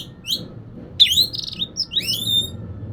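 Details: Oriental magpie-robin singing as a lure for lazy birds: a short burst of bright rising whistles and rich, harmonic chirps, starting with a lone note and then breaking into a quick tumbling phrase.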